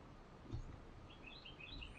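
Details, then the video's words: On a patio, Carolina wrens feed baby birds bugs, GoPro recording; after a soft thump, a fast string of high chirping notes fills the last second over constant low background hum. "Carolina Wren feeding its young"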